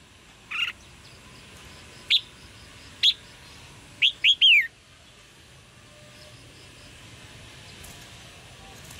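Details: Red-whiskered bulbul 'jiak jiak' chirps used to spur male singing: scattered single sharp chirps, then a quick run of three notes ending in a downward slur, over faint background hiss.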